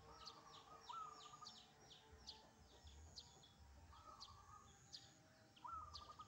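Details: Wild zebra dove calling in the morning, answering a caged bird at home. Three trilled, rolling coo phrases come about every two seconds. Dense high chirping from other birds and a steady low hum fill the background.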